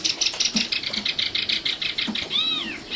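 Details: Song of a common nightingale, known locally as sikatan londo. It opens with a rapid, even run of short high chipping notes for two seconds, then two clear arched whistles, one rising and falling.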